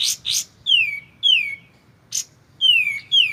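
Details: Close, clear white-shouldered triller song: two rough high bursts followed by two long whistles that glide smoothly downward, then the pattern repeats, one burst and two more sliding whistles, with little else heard.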